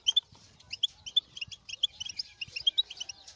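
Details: Goldfinch song for stimulating a silent goldfinch: a steady string of crisp, high chirps and twittering notes delivered rapidly, several per second.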